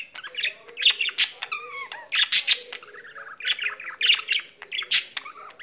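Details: Pet budgie in song, mixing rapid clicks and chirps with clear rising and falling whistled slurs, in bursts roughly every second.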